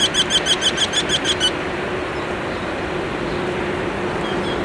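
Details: In spring in Spain's Ebro Delta, a singing Eurasian wryneck gives a quick run of about nine nasal, ringing 'quee' notes, evenly spaced and steady in pitch, then stops, leaving a steady outdoor hiss.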